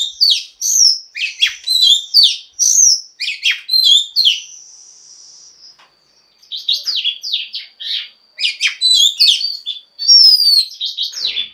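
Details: Female Oriental magpie-robin singing to stimulate males to sing: a rapid, varied run of high whistles, chirps and slurred notes, broken by one long held tone, a short gap, then another lively burst.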